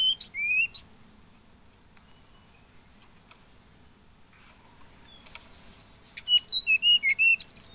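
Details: Hill blue flycatcher song: a brief high whistled phrase opens, then a long quiet pause with faint distant notes, then a lively run of clear whistled notes, some sliding, others sharp and repeated, near the end.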